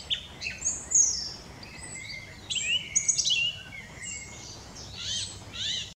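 A song thrush sings bright, varied phrases of clear whistles and sharp, high notes, some given in quick bursts, over faint background hiss.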